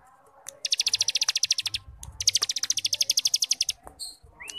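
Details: Starling singing in the 'ngebrem' style, used to coax young birds into song: two runs of rapid, grating pulsed notes, each lasting over a second, followed by a short high note and a rising whistle.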